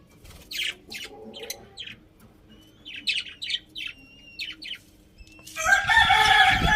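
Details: Pet budgerigars chirping: a run of short, bright chirps, some in quick pairs, repeated several times a second with brief gaps, ending in a dense burst of overlapping chatter and warbling.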